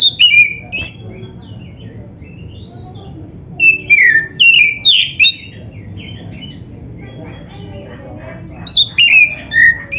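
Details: Oriental magpie-robin, black-breasted type, singing as practice playback for other magpie-robins: a quick cluster of sharp whistled notes, a long quiet gap with faint high chirps, another burst around four seconds, and a final phrase near the end.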